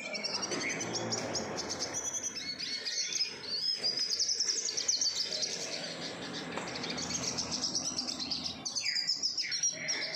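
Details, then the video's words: Several captive-bred Eurasian siskins twitter together on a Saturday afternoon in a dense, continuous stream of high, thin chirps and wheezy notes, with a few clear descending whistles near the end. "Chilling-out session with all my captive bred siskins."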